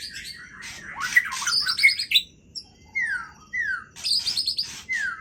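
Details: White-rumped shama (Murai Aceh) singing at full voice and showing off its full range of songs. Rich varied song of sharp whistles, chirps and buzzy high trills, with clear descending slurred whistles repeated in the second half.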